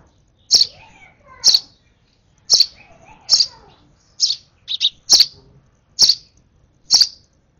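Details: An eager sparrow baby on its last hand-feed repeats loud, high chirps about once a second, with one quick double note midway. Each chirp is short and sharp, with quiet gaps between.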